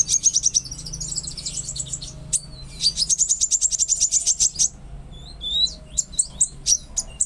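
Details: Konin singing to trigger a silent or stressed konin: long runs of rapid high trilled notes, repeated in two bursts, then sharp descending chirps and whistles, with a low hum beneath.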